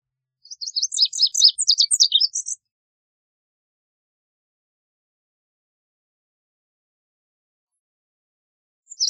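A Lazuli bunting sings one quick, two-second phrase of high, scratchy, paired notes that rise and fall. A long silence follows before the next phrase begins.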